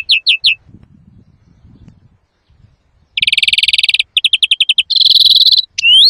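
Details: Loud European greenfinch song for trapping and training: three sliding chirps, a quiet stretch of about two and a half seconds, then a buzzy roll, a rattling series and a harsh trill ending in rising notes.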